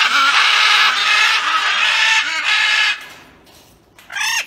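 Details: Breeding pair of Blue-headed (Coulon's) macaws making loud sounds: a long harsh, noisy screech lasting nearly three seconds, then a short pause and a brief rasping squawk with layered overtones.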